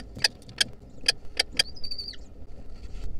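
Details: Begging from wild lesser kestrel babies fed a centipede in 2023: five short sharp chipping notes about every half second, then a thin level whistle, with a constant low hum.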